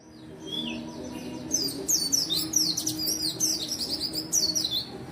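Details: Energetic white-eye song meant to coax reluctant white-eyes into singing. A soft opening note leads into a long, dense run of very high, quick chattering and twittering notes over a faint low hum.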